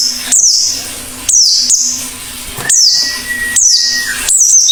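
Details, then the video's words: Actively singing Oriental white-eye: high falling chirps repeated about once a second, with a thin steady whistle-like tone in the middle and a low hum. "Burung PLECI GACOR BUKA PARUH"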